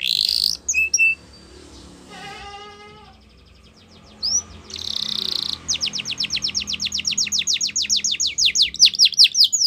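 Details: Yorkshire canary training song for young canaries: scattered chirps and a brief descending ladder of notes at first, then a loud, steady run of fast repeated clipped notes forming a long rolling trill.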